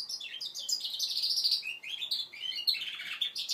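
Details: Goldfinch mule aged five months, learning to sing, produces a continuous high twittering warble with buzzy notes and slurred chirps dipping lower and rising again, steady throughout.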